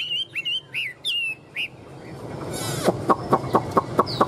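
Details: Caged tame Chinese hwamei in Vietnam gives several short, looping whistled notes. These are followed by a series of sharp rhythmic tapping knocks, roughly every quarter second, and a final high whistle.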